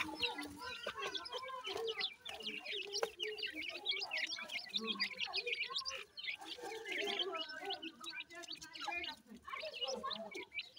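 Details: Feeding francolin chicks keep up a continuous chorus of thin, high cheeps, many birds calling at once in a rapid jumble, with softer lower twitters underneath.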